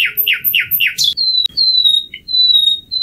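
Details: Common nightingale phrase: four loud, rich downslurred notes repeated quickly, then long thin level whistles with a brief low note between, over a soft low rumble.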